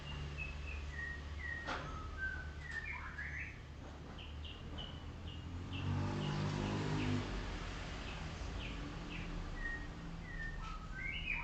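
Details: Golden shama, a white-rumped shama, sings while being sunned in the morning: a long string of short whistled notes, some falling and some rising, repeated quickly over low engine-like rumble.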